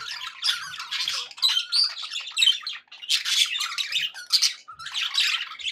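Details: Pet budgerigars chattering happily indoors: dense bursts of scratchy, warbling squawks and chirps, high-pitched and continuous, in clusters with a brief pause near three seconds, several birds overlapping.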